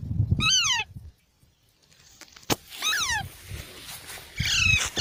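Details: Baby parrots give three separate falling squawks with quiet gaps between them, a sharp click in the middle, and a low rumble under the calls.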